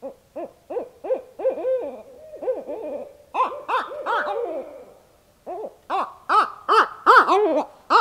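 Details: Barred owl pair at night in north central Kansas, thought to be calling for mating: a dense, excited stream of rapid cackling hoots, about two or three a second, briefly pausing and then rising into a frantic, overlapping chorus.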